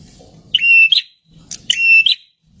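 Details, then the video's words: Two loud prinia phrases, each a flat sustained whistle framed by sharp chirps and a closing buzzy note, about a second apart, with low murmuring noise in the background; the song is used to lure wild birds. "suara burunh perenjak (si burung imut bersuara keras)"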